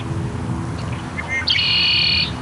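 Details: A territorial Red-winged Blackbird at a small wetland pond on a family farm in Longmont, Colorado, gives a couple of short clipped notes, then a bright, buzzy trill held for nearly a second, over a low background rumble.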